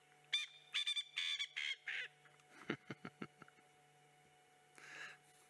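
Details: Male Coqui Francolin calling close by from the top of a termite mound, possibly a territorial call or to attract a mate: harsh, grating bursts followed by a quick run of sharp notes.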